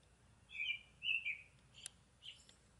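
A northern cardinal sings two clear, slurred whistles about half a second apart, followed by a sharp click and a softer final note.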